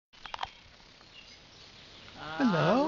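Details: A male talking cockatoo on Kangaroo Island, Australia, says a single hoarse, speech-like word near the end, its pitch dipping and rising again, after a few faint clicks.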